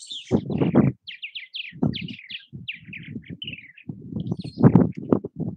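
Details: Purple martins around bird houses in Southwest Missouri: quick chirping and gurgling notes in short runs, overlaid by loud low thumping and rumbling bursts.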